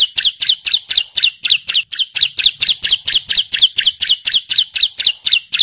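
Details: Bar-winged prinia singing nonstop in an excited state, challenging an opponent. It gives an unbroken string of piercing, high, chirped notes, each a quick downward-twisting double note, repeated roughly three times per second.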